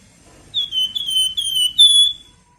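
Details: Flamboyan bird singing nyiul song for master training: a rapid chain of clear, gently falling whistles, ending on a higher, longer note, with low background murmur.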